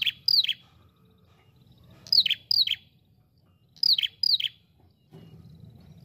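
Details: Ashy prinia lure sound: pairs of high, quickly falling chirps repeated about every two seconds, loud and clean, with a low rumble rising near the end.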